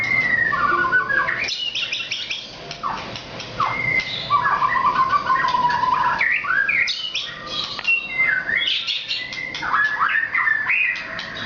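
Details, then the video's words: White-rumped shama of the Nias form in energetic full song, a continuous medley of clear whistles, rapid slurred trills and buzzy notes changing phrase every second or two. "Kicau Burung Murai Batu Nias Super Gacor"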